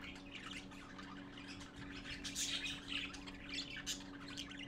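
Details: Several young parakeets gathering to see their father, 11:45 AM, 12-4-14: a busy, uneven stream of hoarse squawks and thin chirps, several each second, peaking around the middle, with a low background hum.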